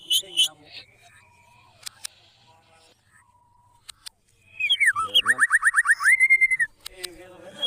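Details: White-rumped shama song used to provoke other shamas into singing: scattered clicks and faint notes, then a burst of rapid repeated downslurred whistles lasting about two seconds.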